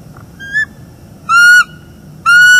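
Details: Nesting bald eagles in northeast Florida, a September 2021 morning, talking after the female turns down mating; a faint short note, then two loud sustained whistles with rich overtones, the last cut off.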